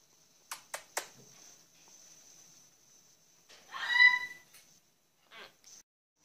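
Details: Pet Senegal parrots kept at home: a few sharp clicks open, then a short harmonic, nasal squawk swells and fades near the middle, followed by two brief soft chirps; otherwise quiet indoors.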